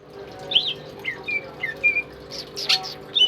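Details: Tame pet greater green leafbird singing, kept as a tutor bird for other songbirds: a varied string of short slurred chirps and squawky notes, rising and falling, with brief pauses in a small indoor room.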